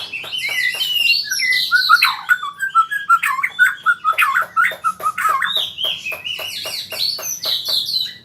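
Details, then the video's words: Young white-rumped shama practising rolling trills delivers a varied run of whistled and buzzy notes, some sliding down, followed by quick regular clicks and chips repeated several times a second. "Murai Super Belajar Kicau"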